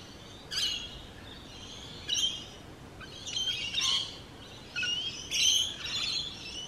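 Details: Rainbow lorikeets squabbling in grating, high screeches and scratchy chatter, clustered in bursts with brief pauses.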